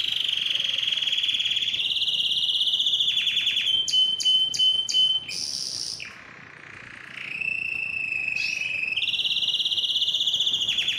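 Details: Domestic canary song, played to encourage singing and readiness for mating: a long steady trill, a series of sharp clicking pulses, a high bright phrase, a softer low roll, then the steady trilling returns.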